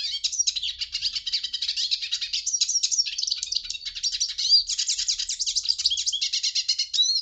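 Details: Hooded siskin delivering an unbroken high-pitched twittering song, fast chattering trills and chirps woven together with occasional clear whistled slurs.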